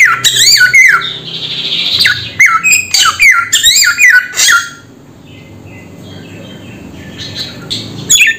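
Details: Samyong bird giving a series of quick, harsh, falling squawks in rapid clusters, then falling quiet with only faint, thin notes until a final brief call.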